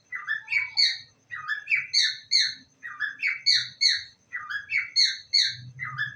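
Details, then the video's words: Pet parrot speaking the words "I love you" again and again, high squeaky three-syllable phrases in a quick run, with faint low rumbling noise in the room. "my parrot saying i love you"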